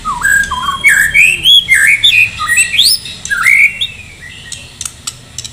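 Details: White-rumped shama from Medan, a caged bird in full song and ready for a singing contest, delivers loud, varied whistled phrases sliding up and down with quick rising notes, followed by sharp clicks and softer ticks near the end.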